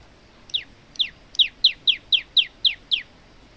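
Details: Male olive-backed tailorbird in lively song, kept as a tutor for other songbirds: nine bright, falling high-pitched notes delivered quickly and evenly, about four per second, over a quiet background.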